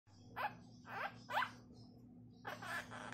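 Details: A monk parakeet, a family pet that has learned its speech from household talk, mimics human speech in four short, raspy, word-like bursts, the first three close together, then a longer phrase, over a low steady hum; it often says its own name.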